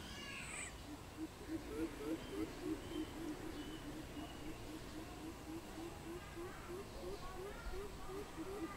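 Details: A greater coucal, recorded 16 April 2020, gives a long run of deep, hollow hoots in quick pairs, about three notes a second. A brief higher call opens over steady background hiss.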